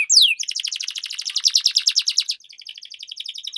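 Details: Canaries dueling with long rolling song as a lure for stalled birds: one loud sweeping whistle, then a pulsing buzzy trill that drops quieter and continues as a soft rapid chatter.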